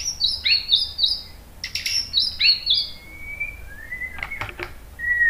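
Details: Murai batu (white-rumped shama) singing to set other birds off: repeated high chirped double notes, a long thin whistle and scattered clicks over background hiss.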